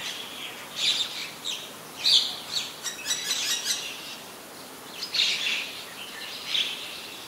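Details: Common myna in Ubon Ratchathani, Thailand, 8 May 2022, filmed on a Nikon P1000: loud, rasping chatter in short bursts roughly every second, with a dense clicking run near the middle and a steady faint hiss behind.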